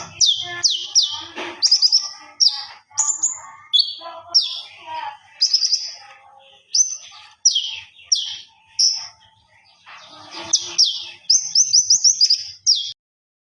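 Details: Common iora singing hard (gacor) until ngobra, for use as a master: bright, high whistles and steep falling slurs delivered in separate bursts, closing with a fast chattering string of notes.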